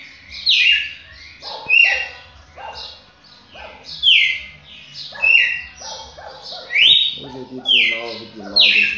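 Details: Red-cowled cardinal singing a series of loud whistled phrases, sliding and slurred, roughly one every second, with a low harmonic buzzy sound near the end.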